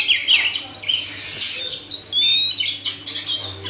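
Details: Male and female oriental magpie-robins used to prompt lazy captive birds into song: scattered squeaky notes and short slurs, with a clear rising whistle near the middle and quieter chatter between phrases.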